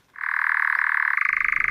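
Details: European Nightjar churring at Cannock Chase, Staffordshire, a stronghold in farmland and forestry habitat, in the early evening: a steady, rapid mechanical trill like a small engine, rising slightly in pitch near the end.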